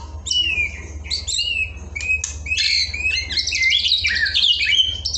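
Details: White-rumped shama song for tutoring caged birds to sing readily and freely: dense run of slurred whistles, harsh chattering phrases and a buzzy rapid trill near the end, over continuous low hum.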